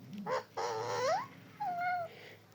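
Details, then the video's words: Talking parrot producing speech-like harmonic phrases: a short two-part note, a long rising drawn-out sound, then a wavering falling tone, with low room hum beneath. "talking parrot"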